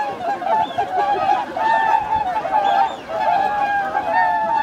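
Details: Swans massed on Lake Hyoko, a Ramsar wetland in Agano, Niigata, Japan, on 8 January 2022: a steady wall of nasal, bugle-like honks from many birds at once, with brief dips in volume and no other clear sounds.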